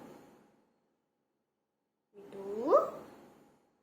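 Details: A pet rose-ringed parakeet (green ringneck) talking gives one short, voice-like phrase that rises then falls, after a faint murmur and a brief silence.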